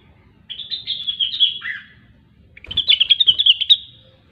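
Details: Cucak wilis or rengganis, a grey-cheeked bulbul in gacor song: a warbled phrase dropping at its end, a short pause, then a fast bright stutter of chirping notes.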